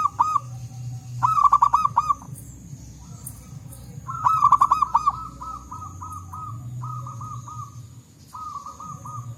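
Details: Zebra doves calling back and forth in the wild forest, two rapid trilling coo phrases followed by a slower run of separate, rounded cooing notes spaced about half a second apart over a low rumble.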